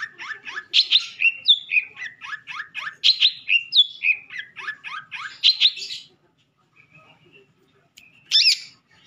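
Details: Tutor recording of a Madura long-tailed shrike with sekebon-style fill-ins: quick runs of descending, slurred whistles mixed with buzzy notes for six seconds, a pause, then one brief, loud, rough burst.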